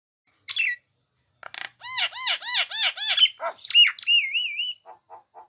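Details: Nias hill myna singing actively: a short sharp note, then a fast run of clear whistled notes that arch up and down, harsher squawky notes, a wavering whistle, and three soft low closing notes.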